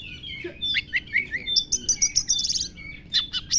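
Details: Oriental magpie-robin (kacer) singing a song that imitates a lovebird: quick, high chirps and twittering notes, some rapid buzzy trills near the middle, then sharp repeated chips at the end.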